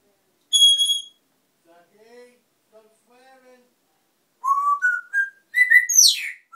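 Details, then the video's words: Noisy pet African grey parrot giving a sharp high whistle, then soft low murmurs, then a quick run of clear whistled notes that step upward and end in a steep, bright falling sweep. "African parrot"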